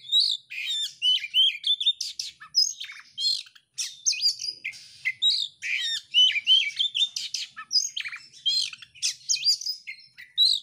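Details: Oriental magpie-robin in full song with tail spread: a continuous stream of varied whistles, trills and scratchy chattering notes, high and fast, with brief pauses between bursts.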